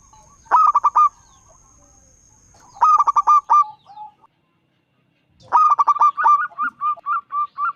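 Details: A local zebra dove with a loud, powerful song, used to entice other doves to sing, gives three phrases. Each starts with a quick stutter of hard coos and ends in a run of separate, evenly spaced notes.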